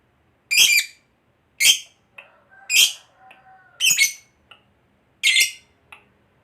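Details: Fighter lovebird kept for song competitions utters loud, raspy squawks about once a second, with a few faint, lower whistled notes in the gaps.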